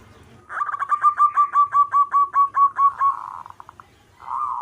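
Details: Local zebra dove singing in the manggung style: a fast series of about fifteen clipped, evenly spaced cooing notes, then a softer rolling trill and a short rising coo after a brief pause.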